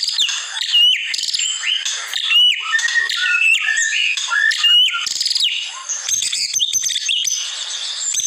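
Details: White-rumped shama in a masteran training recording. High, squeaky chattering notes mix with sharp whistles and quick downslurs in a busy, continuous stream.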